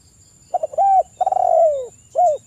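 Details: Spotted dove lure call: short stuttered notes, a level held coo, a long trilling croo that sinks in pitch, and a final rounded coo, over a faint background hiss.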